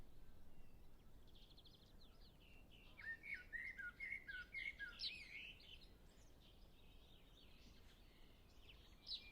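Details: Common blackbird song: after a quiet start, a rapid sequence of clear, mellow whistled notes rolls into a high, scratchy twitter, with faint distant birds behind.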